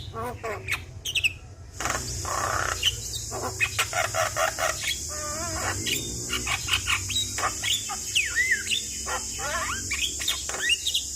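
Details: Varied Javan myna song meant to prompt a stressed bird: buzzy chatter, clicks and wavering whistled phrases, sometimes overlapping, over a continuous high hiss and low hum.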